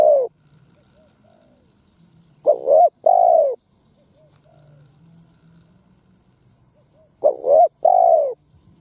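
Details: Lure spotted dove calling to stir wild birds to fight: soft, hollow coo phrases of a short note then a longer rounded one, three phrases spaced by long pauses over a faint low hum.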